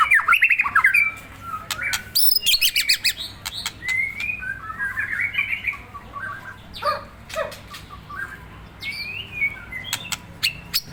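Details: White-rumped shama being deliberately provoked into agitation, pouring out varied whistled phrases and sharp rising notes, mixed with loud clicks, rattles and scraping noises.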